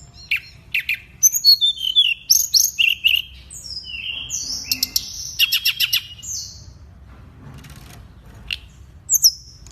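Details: Lovebird song used as a master recording for training other birds: a rapid, busy run of high, varied whistles, sharp chirps and short buzzy trills, with notes bunched into quick bursts and a few brief pauses.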